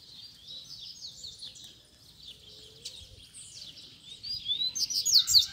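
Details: Double-collared seedeater (coleiro) song during a contest between a caged male and two free birds, the caged bird challenging them to fight; fast high chirped and trilled notes, growing louder toward the end, other birds faint.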